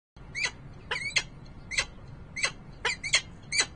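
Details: Peregrine falcon at a nest site in Harrisburg, Pennsylvania, recorded on 28 November 2020: eight harsh, clipped chip notes with a downward sweep. They come irregularly, some in quick pairs, over a low steady background hum.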